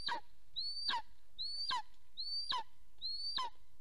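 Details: Wild golden eagles at their nest in Soomaa National Park, southwestern Estonia, on a spring morning, 1 April 2024, when the male comes home: a steady run of five sharp yelps, each rising then plunging, about one every 0.8 seconds, with faint low rumble.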